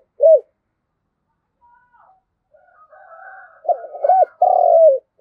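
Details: A spotted dove kept as a ground decoy calls the flock: one isolated low coo, quiet faint chatter, then a murmured lead-in, an arched coo and a long rolling descending coo.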